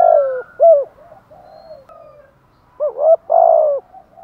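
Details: Spotted dove 'thúc gù' coo: a falling coo with a clipped hoot, soft low murmurs, then a rising double hoot and a long descending coo near the end.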